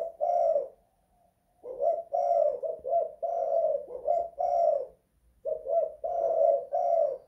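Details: Spotted dove kept in a house, kuk-style cooing: repeated phrases of low resonant coos, short beats followed by longer held notes, with a brief pause midway.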